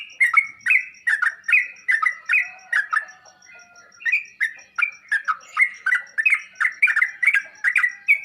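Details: Training audio of a sooty-headed bulbul that is meant to prompt answering song: lively repeated slurred chirps, a pause near the middle, then a faster chattering burst.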